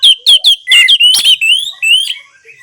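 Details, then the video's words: Orange-headed thrush song, played to coax silent caged birds into singing: loud, clear, sweet whistled notes, several sharp downslurred calls, then flowing, gliding whistles that fade away. "Terapi Anis Merah Bisu | AM Macet Jadi Gacor Coba Di Putarkan Suara AM Ini"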